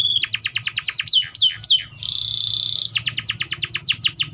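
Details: Canary delivering fast cascades of descending whistled notes, a steady buzzy roll in the middle, then another rapid run of falling notes.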